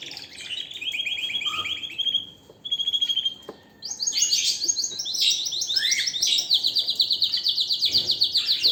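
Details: Canary in strong song, rolling out fast, even trills of repeated notes, first a lower roll, a short break, then a loud higher rapid roll sustained to the end.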